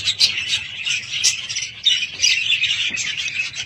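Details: Home budgerigars keep up a busy scratchy warble, with sharp squeaks and fast chirps layered into a continuous flock chatter.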